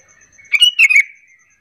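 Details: A single sooty-headed bulbul lure phrase, meant to draw other bulbuls into calling back: two quick bubbly, slightly descending chirping bursts run together, with a faint high ticking in the background.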